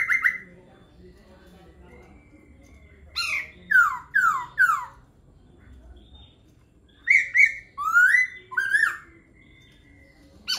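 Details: Laughingthrush song delivered in bursts: a phrase of loud downslurred whistles, a pause with a low background hum, then another run of swooping, rising and falling whistled notes.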